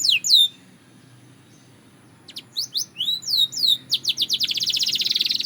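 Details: Belgian canary starting with a loud falling note, a pause, then a string of swooping whistles that speeds into a fast, dense high trill.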